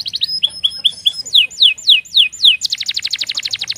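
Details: Canary, warning calls delivered quickly: clipped high chirps, a series of loud downward-sweeping whistles spaced roughly every third of a second, then a dense fast trill of rolled notes.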